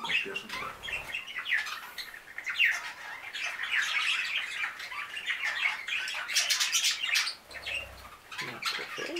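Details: Five newly arrived budgerigars chirping together, a dense flock chatter of rapid warbles, squawks and scratchy trills with brief wing flutters, continuous and overlapping throughout.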